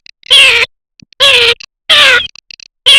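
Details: Garganey, a summer duck. Loud, harsh, nasal calls repeated about every 0.8 seconds, each slightly falling in pitch, with soft clicking rattles in the gaps.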